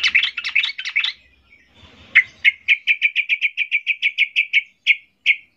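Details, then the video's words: Yellow-vented bulbul in aggressive rival-seeking mood gives a fast scratchy warble, a brief noisy pause, then about fifteen clear, evenly spaced chirps that slow toward the end. "Macam macam suara trucukan gacor ngamuk mencari lawan"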